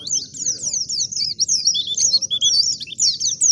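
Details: Wild white-eye used as a lure to provoke singing: a continuous, high, rambling twitter of quick slurred and warbled notes, slightly uneven in rhythm, with a low hum in the background.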